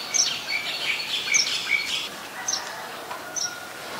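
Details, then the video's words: Quick, scratchy chirps and short, squeaky high notes tumble together, then fade into a few sparse, sharp pips. White-vented myna, recorded 18 January 2021 in Ubon Ratchathani, Thailand. "นกเอี้ยงหงอน หรือนกเอี้ยงดำ (White-vented Myna)"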